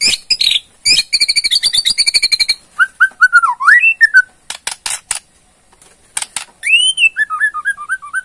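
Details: Murai Borneo, a white-rumped shama, mixing its ketrekan provocation with song: a long buzzy rattle, loud clicks, then rich, sliding whistled phrases and a rapid run of short falling notes.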